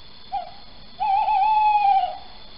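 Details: Male little owl calling at night in Sprundel, recorded 4 January 2020 at 01:08: a brief soft note, a short pause, then one long, level, slightly wavering hoot lasting about a second, over a quiet background.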